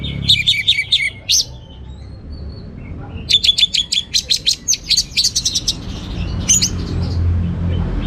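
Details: Orange-headed thrush, teler song style, delivering fast series of sharp, high, buzzy chip notes in quick rhythmic bursts, with a short pause between two long runs.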